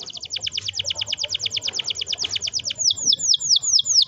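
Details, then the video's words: Singing canary used as a prompt to get young birds to sing: a fast rolling trill of rapid repeated high notes, then slower downward-sweeping whistled notes near the end, with a faint low hum behind. "kenari gacor ngerol panjang ini 100% ampuh buat PANCINGAN KENARI paud belajar bunyi/malas bunyi"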